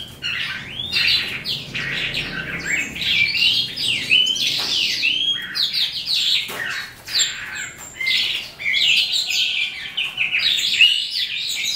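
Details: Eastern calandra lark, subspecies psammochroa, singing at day's end: rapid jumbled song of harsh chirps, rattles and clear whistled notes, delivered in long bursts with brief pauses, mimic-like variety, no other clear sounds.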